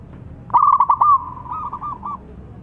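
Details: Local zebra dove in peak calling form, challenging rivals to sing: a quick rattling series of clipped coos, then a long steady tone breaking into a few fainter notes.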